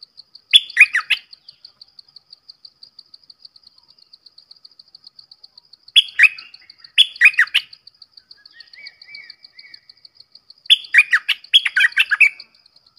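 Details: Red-whiskered bulbul repeating cheery, bubbling whistled phrases in three bursts several seconds apart, with a soft short note between them, against continuous fast, high ticking in the background.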